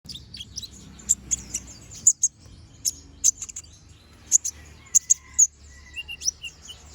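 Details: Brown-throated sunbird, locally called konin, in energetic gacor song of the ngobra style with sharp 'tembakan' shots: very high, piercing chips and short trills scattered irregularly, some spaced about half a second apart, over a faint low hum.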